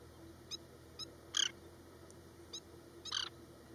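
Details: An Oriental pratincole performing a broken-wing distraction display at Osman Sagar, Hyderabad, gives two harsh, rasping chattered calls about two seconds apart, with fainter short ticks between, over a quiet hiss.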